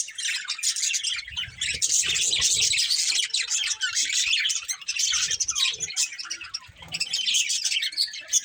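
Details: Several pet budgerigars in a family group keep up a dense, unbroken warbling chatter of scratchy, buzzy and squeaky notes from start to finish, briefly softening midway, with faint low rustling beneath.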